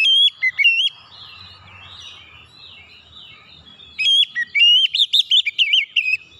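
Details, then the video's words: Oriental magpie-robin lure song meant to spark singing in untrained birds: short whistled notes at the start, a soft murmuring gap, then a dense, rapid flurry of bright, warbling whistles. "kicauan Kacer pemikat"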